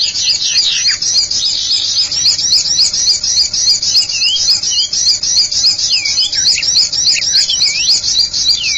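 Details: Common iora (cipow) lure sound: continuous high, rapid chattering trill of looping notes, with interspersed down-slurred whistles later on, steady and loud throughout.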